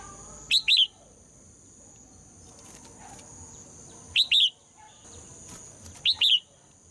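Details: Female red-whiskered bulbul singing to make males sing hard. Three crisp double-note whistled phrases arrive about every two seconds or more, each note a fast looping whistle, between quiet gaps.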